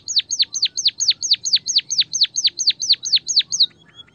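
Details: Recording of white-headed munia voice used to get lazy birds singing: about fourteen loud high notes, each dropping sharply in pitch, repeated steadily roughly four times a second, then a short soft tail, over a quiet background.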